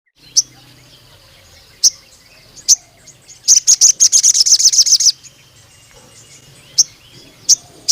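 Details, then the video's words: Ruby-cheeked sunbird in full, vigorous song with long bursts, used to stir and tutor young spotted males: sharp high chirps spaced about a second apart, then a rapid buzzy trill of some fifteen notes lasting nearly two seconds. "BURUNG SOGON GACOR NEMBAK PANJANG UNTUK PANCINGAN MASTERAN TROTOL JANTAN"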